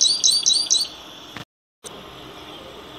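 A grassland yellow finch gives four quick, high chirping notes in about a second, then falls quiet over a faint hiss.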